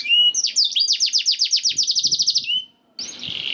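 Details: Canary song used as a masteran training recording to get other canaries singing. Rapid, evenly repeated down-sweeping trilled notes, then a short pause and a buzzy high phrase.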